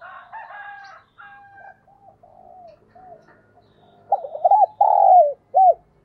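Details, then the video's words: Decoy spotted dove in the 'đồng pha thúc' voice with 'gáy gọi' calling coos: faint chirps and whistles for four seconds, then a loud mellow phrase of quick stuttered notes, a long swelling coo and one short closing note. "tiếng chim cu gáy mồi chuẩn cực hay giọng đồng pha thúc & gáy gọi"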